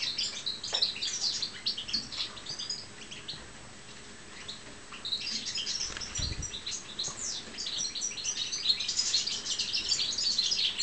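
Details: Pet European goldfinch, subspecies balcanica, kept caged: scattered high, sharp twittering chirps in quick irregular bursts, with a quieter stretch in the middle and a brief low thump.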